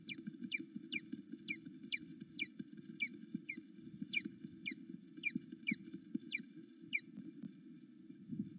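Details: Osprey at its Loch Arkaig nest, seen on a live camera in the morning, calling excitedly as its mate comes back: sharp downward-slurred chirps repeated roughly twice a second over a low steady background rumble.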